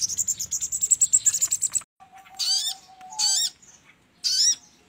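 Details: Crimson sunbird (sogon) lure call: a long run of rapid high ticking notes, then three separate buzzy upswept calls with a thin level whistle between them.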